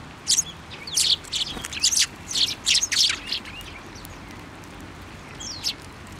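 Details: Tree sparrows assembling on a shrine plum tree in Japan during February; a run of sharp high chirps for three seconds, a pause, then one last tweet.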